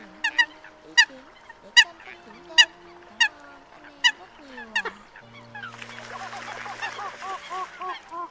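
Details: Eurasian coot calls used as a lure for night netting of migrating birds in 2022: sharp, clipped notes repeated about every 0.7 seconds over a steady hum, then a dense overlapping chorus of rapid calls in the last three seconds.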